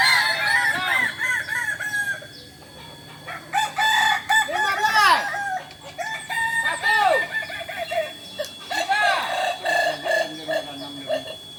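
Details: Kokok Balenggek roosters practising together at Ampang Kualo, Solok, West Sumatra; distinct bursts of long, tiered crowing with arching, broken notes come in several waves separated by brief quieter gaps, over a faint low hum.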